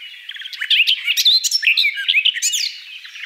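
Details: Garden Warbler (Sylvia borin) delivers a short burst of fast, tumbling warbling notes after a quiet start, then fades off.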